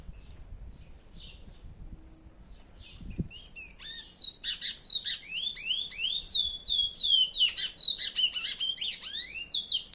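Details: Owner's curió (chestnut-bellied seed finch) sings after a quiet start: from about four seconds a sustained, strong stream of high, rapid, swooping whistled notes repeated in rich succession.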